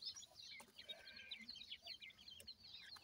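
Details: Grey francolin chicks calling to their feeding mother; rapid, faint, high chirps tumble in a busy overlapping chatter, many per second, with a few sharp clicks against a low background hum.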